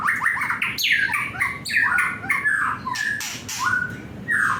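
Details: White-rumped shama, a young bird described as agitated, giving rapid varied whistles, downslurred chips and harsh scratchy bursts, then a few longer clear whistled notes near the end.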